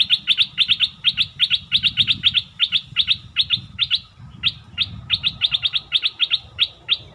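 A bulbul gives rapid bursts of bright, sharp chirps, three or four a second in close clusters, with one brief pause midway.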